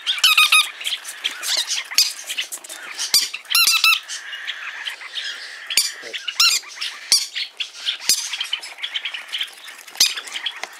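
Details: Indoor chorus of hand-tame green-cheeked parakeets at a Fukuoka Prefecture pet shop, Japan. Harsh, scratchy screeches come in irregular loud bursts over continuous softer chattering.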